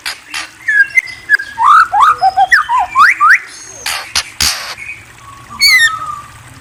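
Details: White-rumped shama delivering a rich song of looping whistles and quick up-slurred notes about three per second, broken by sharp clicks, then a pause before a final thin whistle.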